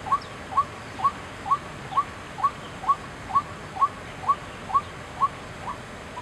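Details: White-breasted waterhen, Chiang Kai-shek Memorial Hall, 6 September 2012: a rhythmic string of about thirteen short upward-inflected notes, spaced roughly half a second apart, loud and regular over quiet background hum.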